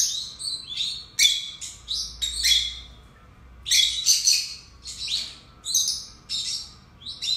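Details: Rapid strings of shrill, slurred chirps and harsh squeaks pour out from two caged pet lovebirds, arriving in clusters with short pauses between them.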